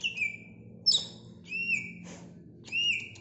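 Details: Greater green leafbird song: clear whistled notes sliding down from high pitch, several short phrases separated by pauses, with a faint low hum beneath.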